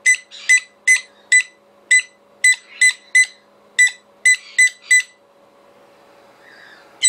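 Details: A pet conure screams back in reply to a recording of another conure's screaming: about a dozen harsh, shrill screeches over five seconds, a pause, then one last screech, over a steady electrical hum.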